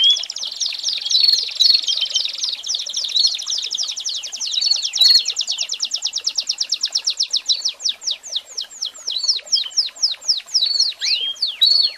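An American Singer canary sings a long, high, rolling trill that slows into distinct repeated chirps and whistled notes. Faint background noise.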